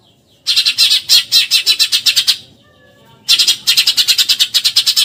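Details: Eurasian tree sparrow 'tembakan nyerecet' chatter, meant to train contest birds: a long run of loud, grating notes repeated very fast, then a pause, then another rapid scratchy series.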